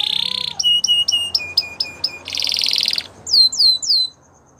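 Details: Singing Gloster canary in a training song: a harsh buzzy burst, a row of clipped chirps, another buzzy trill, then a few clear down-slurred whistles before quiet.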